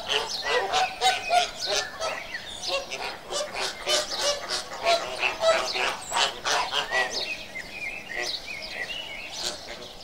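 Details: A crowd of flamingos giving steady nasal honking and gabbling calls, many birds at once, loud and overlapping throughout with brief high squeaky notes.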